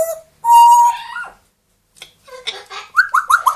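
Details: Pet grey parrot, two years old, and Amazon parrot, one year old, indoors: a steady clear whistle, a pause, scratchy chatter, then four quick rising whistled notes.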